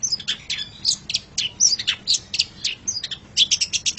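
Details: Long-tailed shrike kept as a pet, recorded as a master song for training songbirds: rapid, varied high chips and short sharp notes packed into quick bursts, with brief gaps.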